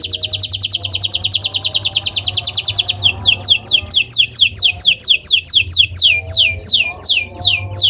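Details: Canary singing for use as a training recording: a fast rolling trill of high notes for about three seconds, then evenly spaced down-slurred whistles repeated roughly every half second.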